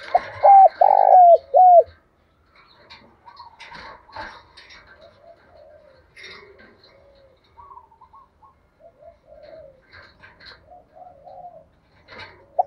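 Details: Decoy spotted dove cooing to excite wild doves: a loud opening phrase of short and long hollow coos with falling ends, followed by many softer, more distant coos and twittering notes.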